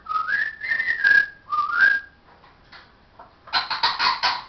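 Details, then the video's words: Talking parrot indoors giving clear whistled phrases that rise and dip, repeated twice, followed by a harsh burst of rapid speech-like syllables. "parrots says hello darling show us your"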